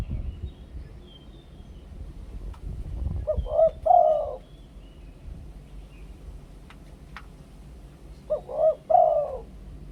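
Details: Spotted dove used as a decoy bird, cooing in the Thai two-kuk "khu-ang" song style: two low, mellow coo phrases about five seconds apart, each a quick stuttered opening followed by drawn-out rounded notes, over faint rustling background noise.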